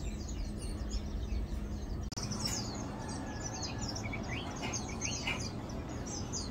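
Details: Recorded 2 August 2022, Lowland white-eye (Zosterops meyeni), called Matang Dulong locally, utters clear, sharp high chirps in busy overlapping bursts, some sliding notes mid-pitch, set against low background rumble with a short cut early on.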